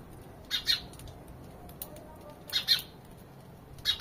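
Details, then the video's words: House sparrow chirps: two quick doubled chirps about two seconds apart, then another starting at the very end, over a quiet background. "Relaxing bird chirping sound. (Happy sounds of sparrows)"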